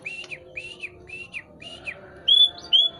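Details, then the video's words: White-rumped shama, still pushing its tail and singing eagerly: a run of soft whistled notes, each rising then dipping, repeated roughly every half second, ending in two loud, clear, level whistles. "burung murai masih dorong ekor masih gacor"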